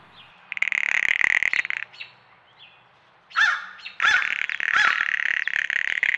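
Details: Female blue jay, perturbed that the feeder is empty and bobbing as she calls, gives the female-only rattle call: dry, rapid wooden rattles, a burst of about a second, then a longer steady rattle after a short rasp.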